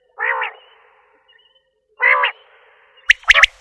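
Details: Common quail: two low, buzzy, nasal bursts about two seconds apart, followed by a quick cluster of sharp, clipped notes near the end.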